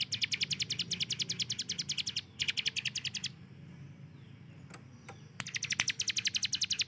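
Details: Kept hill prinia firing its fast 'tembakan': dense strings of high, clipped notes at roughly eight per second, broken by short pauses, with a quieter gap holding a few faint ticks before a final rapid volley.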